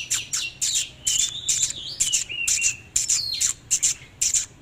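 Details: Oriental magpie-robin singing while dancing in display: a fast jumble of sharp high chips and short whistled slides, notes tumbling out about twice a second with brief pauses between bursts.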